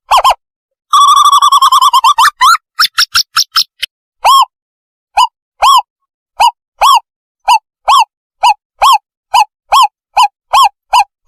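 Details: Owl call used as a lure for catching owls: a fast rolling trill of hooting notes at first, then single hooked, slightly rising hoots repeated about twice a second, clear and loud with no other sounds.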